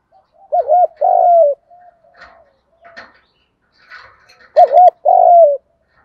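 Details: Spotted dove calling in hạp bổi style to stimulate other doves: two loud phrases of a double coo and a long falling note, with faint soft coos and light rustling sounds between.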